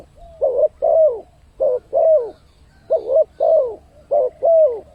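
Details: Clean spotted dove lure call to attract wild birds: a rhythmic run of soft coo pairs, each second note longer and sliding down, against near silence.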